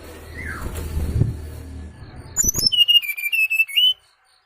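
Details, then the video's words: Sooty-headed bulbul lure sound for bird trapping: a rapid run of bright whistled notes stepping downward, then a level, wavering whistled phrase that ends on a rising note. A faint falling note and low hum come first. "SUARA PIKAT BURUNG SRDC"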